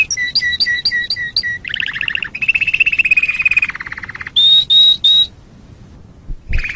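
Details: Canary song meant for training other birds: a row of paired chirps, then a rolling low warble and a long fast trill, three pure high whistles, a pause of quiet, and a final short roll.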